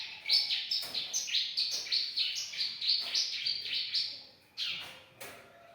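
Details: Young Bar-winged prinia singing vigorously: a busy, scratchy chatter of high notes running in quick uneven bursts for several seconds, then breaking into a few separate sharp calls.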